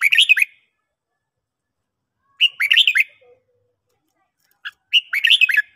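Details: A red-whiskered bulbul sings in the morning in a training recording, giving three quick, chirpy warbled phrases of up-and-down whistles, each roughly two and a half seconds apart, on a clean, quiet background.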